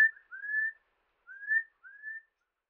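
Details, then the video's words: Rufous-throated partridge from Uttarakhand, India, in the Himalayan forests: three slow, pure whistles, each gently rising and spaced about half a second to a second apart, with quiet between them. "Rufous-throated Partridge: Haunting Calls"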